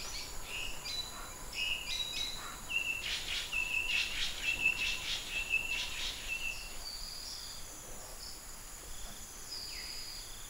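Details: Greater racket-tailed drongo (Dicrurus paradiseus) in Huai Kha Khaeng Wildlife Sanctuary, Thailand, giving varied loud whistles and harsh, metallic notes in a busy phrase, with insects and other birds faintly behind.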